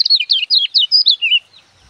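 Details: Lemon-bellied white-eye used as a master song for training young birds to sing: a fast string of about eight sweeping, warbled high notes, each rising and falling, delivered in under a second and a half, then silence.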